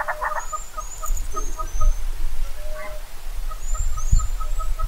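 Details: Southern red-billed hornbill (Tockus rufirostris) in Kruger National Park gives a steady run of hollow clucking notes, about four or five a second, over low wind rumble, with thin high whistles from other birds.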